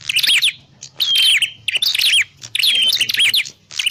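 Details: Prinia calls played as a trapping lure: three loud bursts of rapid, high, scratchy chirps, each with a thin descending whistle, separated by short gaps.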